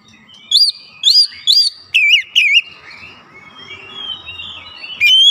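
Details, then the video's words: Oriental magpie-robin (kacer) song used as a lure to provoke other magpie-robins: five loud, clear whistled notes with rising-falling curves in quick series, then quieter, drawn-out whistles and one final bright note. "KACER MANAPUN GAK BAKALAN DIAM MENDENGAR PANCINGAN AMPUH TERCEPAT BIKIN EMOSI"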